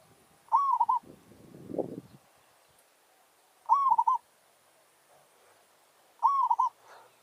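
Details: Village zebra dove in a territorial challenge (anggar) luring wild doves. A rising coo runs into a quick rolling stutter, given three times about three seconds apart, with a soft low thump between the first two phrases.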